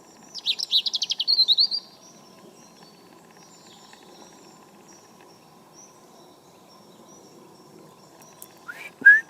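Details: Singing European robin, a tame garden bird, cold morning in November 2014; a fast, high trilled phrase of rapid notes lasting over a second, a long pause, then a sharply rising note.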